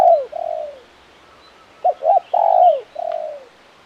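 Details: Spotted dove giving its crisp KUK 1 call: a drawn descending coo, a pause, then two quick clipped notes, a swelling long coo sliding down, and a softer closing note.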